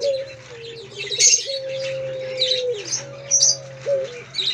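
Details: Long-drawn, even coos from a male Pelung Barbary dove, first a short dipping note, then two level held tones ending with a downward slur, set against constant high chirping of other birds.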